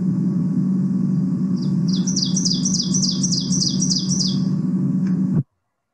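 Ovenbird song: a rapid run of about ten bright, high two-part 'teacher' notes, roughly three per second, over a steady low hum.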